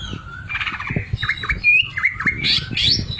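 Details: Greater green leafbird singing actively, its sewing-machine filler style of song heard as quick dipping whistled notes and buzzy chirps delivered in a fast varied stream, with low rumbling noise underneath.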